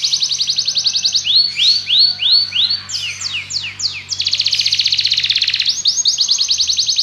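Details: Belgian canary alternating fast even trills with slower arched whistled phrases and brief descending sweeps, a continuous bright high-pitched song.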